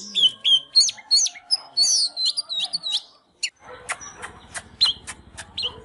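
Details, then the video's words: Singing and dancing Oriental magpie-robin: rapid repeated whistled phrases and chips, then a series of sharp clicks and short whistles over a low buzzing rattle. "Chích chòe than LÊN LỬA || HÓT MÚA ĐẲNG CẤP"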